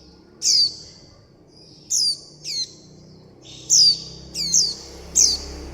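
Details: Begging young warbling white-eyes call their mother and flock: high, descending squeaks, single and in quick pairs, separated by quiet gaps and faint held whistles.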